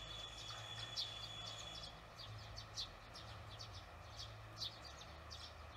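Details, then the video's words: Barn swallow calls in the evening, June 18, 2020, heard after work; a few sharp, high chirps roughly every second, one louder near the start, over a low drone and a steady whine. "저녁시간 제비"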